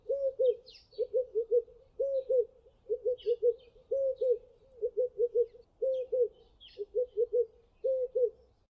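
Red-eyed Dove giving deep, hoarse coos in a repeated rolling phrase, a couple of notes each second, with faint higher chirps from other birds behind.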